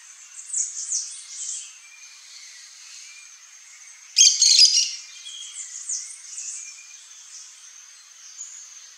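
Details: A single loud, scratchy screech-chatter from a pair of Yellow-chevroned Parakeets comes midway, surrounded by softer high chirps and a continuous shrill background hum.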